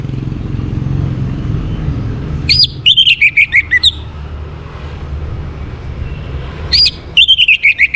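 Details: Morning Orange-headed thrush song for conditioning birds to breed: a high opening note, then a run of about six quick whistles stepping down in pitch, repeated twice over a soft low hum.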